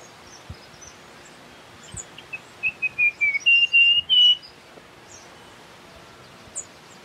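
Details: One whistled phrase of a russet-crowned warbler, short dipping notes leading into three louder drawn-out whistles that rise slightly, set against a quiet natural background with scattered faint chirps.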